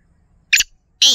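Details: A Black francolin gives two harsh, grating notes about half a second apart, high and scratchy, with the second cut short, against an otherwise quiet background.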